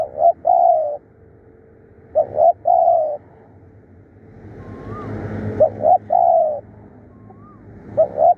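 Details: Decoy spotted dove, described as fierce and calling diligently, gives low two-part coos: a short stammered note pair, then a sustained coo. They repeat with gaps, while a passing vehicle-like rumble and a thin higher whistle from another bird fill the middle.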